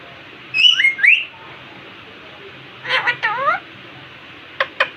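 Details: Indian ringneck parakeet talking to itself in a mirror indoors: two bright whistled, warbling notes, then a cluster of buzzy, downward-sliding voiced syllables, ending with two sharp clicks.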